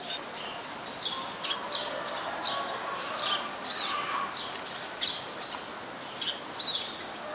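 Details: Short, clipped chirps of a Eurasian tree sparrow, repeated every half second or so in uneven rhythm, in Ubon Ratchathani, Thailand, 22 November 2019; a very common resident bird, with a soft hiss behind.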